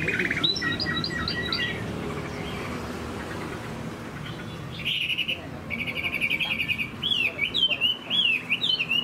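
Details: Caged hwamei in moult opens with a quick repeated stuttering figure, falls quiet, then resumes with bright buzzy notes and rising, bending whistles.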